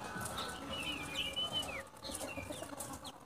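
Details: A local white-breasted white-eye from Baubau, Buton, Sulawesi, recorded for luring wild white-eyes, gives thin, high whistled phrases, some sliding downward, over steady background hiss and rustle.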